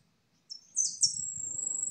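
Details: Yellow European goldfinch (jilguero amarillo) piping. Quick high twittering notes open into a sustained, fast, shimmering high-pitched trill, with soft low background noise.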